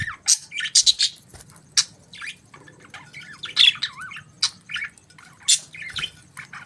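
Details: Morning chatter of budgies, bright rapid chirps and looping warbles tumbling over one another, with loud sharp squeaks every second or so and little quiet between them.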